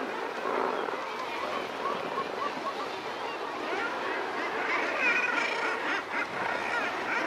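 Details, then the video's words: A Razorbill takes off from a ledge, followed by soft, drawn-out growling calls and 'cloc' notes amid a dense din of other seabirds over rushing surf. "Razorbill. Sound Of Take-Off From Ledge, Followed By Soft, Long Growls"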